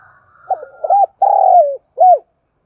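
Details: Decoy spotted dove calling for daily lure training against wild birds. A faint soft lead-in gives way to quick coos, a long purring coo that sags at its end, and a clean short arched note.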